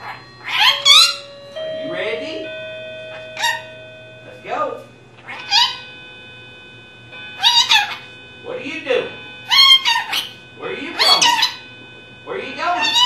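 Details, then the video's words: A female pet lorikeet indoors talking from her large vocabulary of mimicked phrases; short loud, voice-like utterances with rich harmonics come every second or two, with a steady low hum behind. "Lorikeet Talking"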